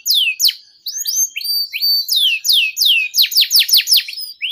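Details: Canary in long, continuous song, used to prompt other canaries and tutor young birds: a rapid run of high, steeply descending whistled sweeps, some overlapping, several per second, with a short gap near the start.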